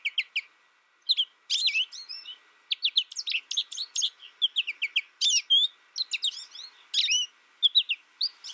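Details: ['Lone caged American goldfinch that learned from a tutor recording sings a nearly continuous, rapid twitter of high chirps and slurred whistles, with almost no pause over several seconds.']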